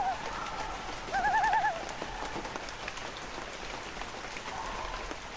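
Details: Loon giving one short, loud quavering tremolo burst, framed by fainter wavering notes and a steady patter like rain.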